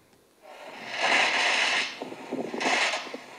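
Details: A single bowerbird mimicking construction noise, including a saw, construction workers talking and noisy machines: two harsh, grinding, machine-like bursts, the first over a second long and the second shorter, between scratchy rattling.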